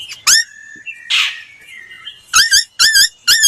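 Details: Laughingthrush lure song for voice training. A bright note and a breathy rasp are followed by a soft sliding whistle, then three loud, rich, wavering whistled notes spaced about half a second apart.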